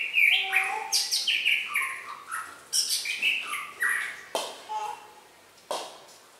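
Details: Red-whiskered bulbul singing in contest style, a quick series of short, bright whistled notes in stepped patterns, roughly three per second, separated by sharp louder bursts and a fading tail.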